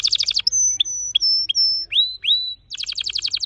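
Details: A red factor canary, a vibrant orange-red bird, sings fast, bright trills of rapid notes, then long high whistles and rising slurred notes, then another quick trill.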